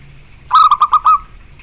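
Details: Zebra dove, locally perkutut, delivering a single crisp phrase of five bubbling coo notes, the last one longer and trailing off, against faint hum.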